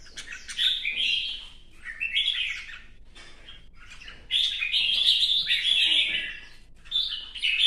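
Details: Red-whiskered bulbul, newly moulted, singing in competition with a fanning dance display: three bursts of bright, piercing, whistled warbling, the middle one sustained and loudest, with quiet pauses between.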